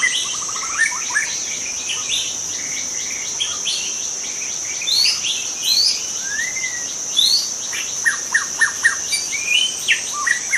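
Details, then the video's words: Forest-dwelling young white-rumped shama with a varied song of sweeping whistles, upslurred notes and a closing series of short repeated chips, while a continuous high-pitched insect chorus drones behind. "Kicau murai muda hutan"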